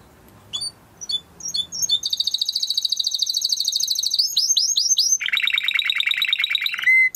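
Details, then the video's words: Timbrado canary training song: a few scattered high chirps, then rapid trilled tours that shift from a fast buzzy high roll to repeated downslurred notes and a lower, steady pulsed trill, ending on a clear whistle. "Υour canary will sing UNSTOPPABLY"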